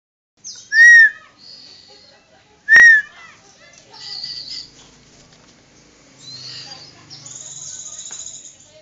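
Buffy fish owl giving two loud, shrill, slightly rising notes about two seconds apart; fainter high chirps from small birds follow.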